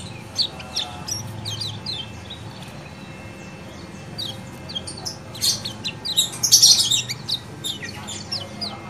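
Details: Kecial kuning (yellow white-eye) in lively 'ciak ciak' calling, meant to coax a reluctant caged bird into singing; rapid, high, thin chirps and short twittering notes in dense irregular bursts, loudest near the end, with low background hum.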